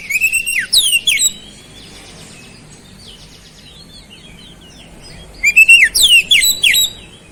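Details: Energetic oriental magpie-robin (kacer) song with flowerpecker-like phrases (isian cabe-cabean): a loud opening flurry of high, steeply sliding whistles, a long lull with faint twitters, then another loud run of sharp whistled notes.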